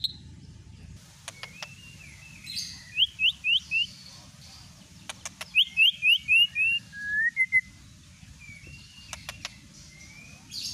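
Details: White-rumped shama singing, a lure to trigger another shama's song: two bright phrases of four or five quick high upswept whistles, then a short twittered flourish, separated by quiet gaps with faint clicks.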